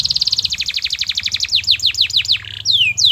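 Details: Canary singing a master song to encourage others: rapid repeated notes slowing into descending slurred chirps, ending with two sweeping downward whistles.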